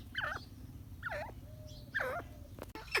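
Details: Grey francolin calling: three loud, harsh, rising-and-falling notes roughly one second apart, with a steady low hum underneath and a sharp click near the end.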